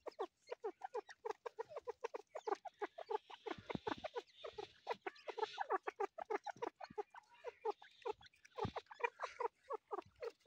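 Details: Grey partridge chick chattering continuously: dense runs of brief falling notes packed closely together, with a soft hiss of background noise in the middle.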